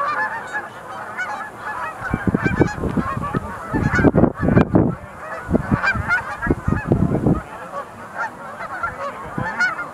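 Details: Chorus of sandhill cranes at the Montezuma National Wildlife Refuge Visitor Center pool, 20 November 2021; many overlapping rattling bugles, with deep low thumps or rumbles bursting through between two and seven seconds.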